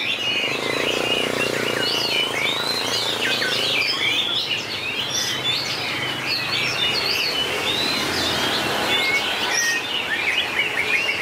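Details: Competing White-rumped shama song showing long voice changes: busy high whistles, sharp slurred notes and twittering runs, with a low hum in the background early on.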